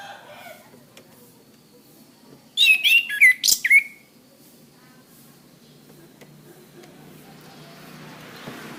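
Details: Orange-headed thrush song, a training recording for cage birds. A single short burst of high, sharply bending whistles and chirps lasts just over a second, set in otherwise quiet background with faint hiss.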